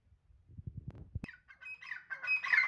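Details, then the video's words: Francolin gives a harsh, grating call that grows louder over about a second, preceded by a few low thumps and a sharp click. "Teeter ki awaz / teeter voice / Francolin sound"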